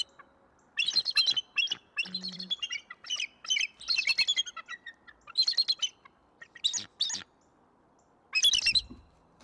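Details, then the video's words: Pair of bald eagles at Decorah, Iowa, 21 November 2022, repeatedly giving shrill staccato chatter while driving off an intruder, several separate volleys with quiet gaps and a low thud near the end. "Para Bielików amerykańskich - Odstraszanie intruza"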